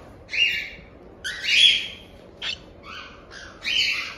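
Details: Month-old cockatiel chicks from a Tokachi, Hokkaido breeder utter clear 'jaa-jaa' begging cries: five or six separate rasping squawks with a nasal, buzzy tone, each under half a second, against a quiet room.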